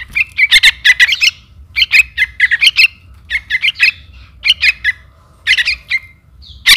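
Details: Trukan chick calling its mother, used as a bird lure: bursts of squeaky, harsh chirps in quick clusters of two to five notes, repeated roughly every half second with brief pauses, over a faint low hum.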